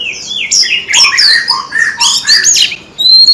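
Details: Kept white-rumped shama singing and flicking its tail: dense mix of rich warbles and lower slurred notes, then a short pause and clear high thin whistles.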